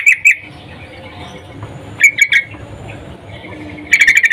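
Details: Female sooty-headed bulbul calling a breeding male: two sharp chirps, a pause, then a cluster of three bright notes, then a fast run of five short chirps at the end, with a faint low rumble throughout.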